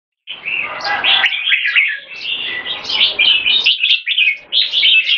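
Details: Caged competition-class red-whiskered bulbuls, two birds in speed action display: bright, fast warbled phrases chattering without pause, beginning after a short silence, with a brief gap in the middle.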